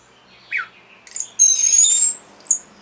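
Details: Orange-headed thrush song meant to stir breeding condition and provoke an answer: scattered high thin whistles and a brief raspy note, then a long sustained high whistle with a buzzy edge, ending in a short bright flourish.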